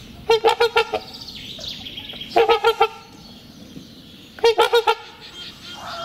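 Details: Two trumpeter swans trumpeting during their spring courtship ritual, which strengthens the pair bond and serves as loud territorial advertisement; three evenly spaced bursts of four or five resonant, horn-like honks, roughly every two seconds.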